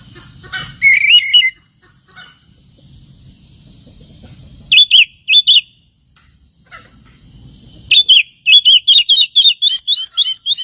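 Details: Oriental magpie-robin song used as a provoking lure for other birds: scattered bursts of bright chirps separated by quiet pauses, ending in a rapid series of about ten repeated high sweeping notes, with faint low hum between phrases.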